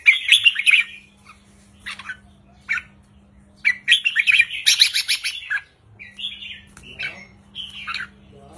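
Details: Caged red-whiskered bulbuls, wild-caught type kept in southern Thailand, singing short, easy 'counting' style phrases of 3-4-5 notes, played to excite other birds; bright warbled bursts repeated in clusters, with a faint low steady hum.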